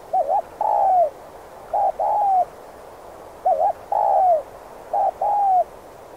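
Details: Spotted dove coo used as a decoy for catching wild doves: five brisk phrases of a short wobbling note and a longer curving coo, delivered almost back to back over low background hiss.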